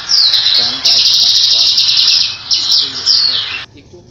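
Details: Grey-headed canary-flycatcher giving high, thin, sibilant phrases with quick downslurred whistles and fast trills, delivered in bursts over a steady high hiss.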